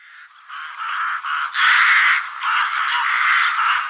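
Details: Rooks calling in Lithuania: harsh, hoarse caws that run together almost without a break, overlapping and rasping, with louder bursts near the middle.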